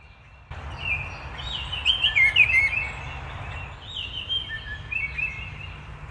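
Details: Baltimore Oriole singing in Massachusetts, New England: rich, flutelike whistled phrases of slurred notes in two bursts, with a low steady background hum.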